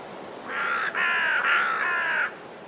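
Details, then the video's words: Raven uttering a long, drawn-out rasping call broken into three joined parts, harsh and hoarse, lasting almost two seconds. "Raben Geräusche - Raben Sound"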